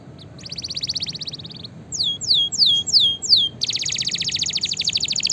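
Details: Canary in full song, used to stimulate and train other canaries: a rolling rapid trill, four loud descending slurred notes, then a long fast pulsed trill, over faint low hum.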